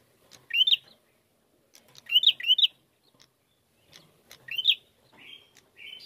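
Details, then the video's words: Bar-winged prinia song used as a lure to provoke singing: sharp upslurred chirps in a quick pair near the start, then a lone chirp and softer buzzy notes, with faint clicks between phrases. "Pancingan Prenjak Gacor Narung Mantap"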